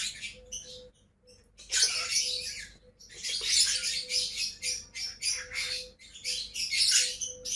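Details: Two pet lovebirds calling with dense bursts of harsh, high screeching squawks that come in clusters, with a short pause near the start and a steady low electrical hum behind.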